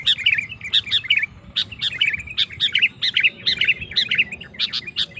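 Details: Sooty-headed bulbul (kutilang) song used to provoke other males: quick repeated bright chirps paired with lower warbled notes in short rhythmic clusters, with soft low background hum.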